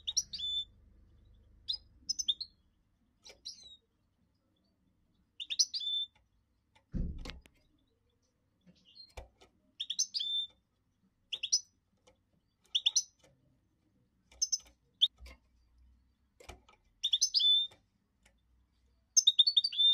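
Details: Goldfinch mule singing: short, high, bright chirped phrases with quick up-and-down twitters, given in bursts every second or so with brief pauses, plus a single dull thump midway.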